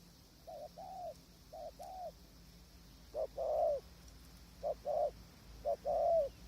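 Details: Spotted dove calling during decoy trapping from a tent in high wind, wild doves distant; four short-long coo pairs, later ones louder and fuller, spaced about a second apart against quiet background.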